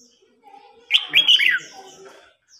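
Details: Contest singing of red-whiskered bulbuls, a seasoned wild-caught bird challenging an agitated young one: a single bright, tumbling phrase of rapid slurred whistles lasting under a second, with softer chirps around it.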